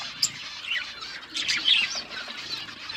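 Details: Colourful budgies chirping softly, a quieter murmur of warbled, twittering notes with one sharp squeak near the start.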